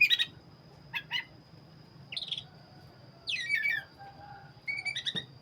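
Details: Oriental magpie-robin of the black-breasted form, called kacer dada hitam, singing gacor: short bursts of clear whistles and scratchy down-swept notes separated by brief pauses, over a steady low background hum.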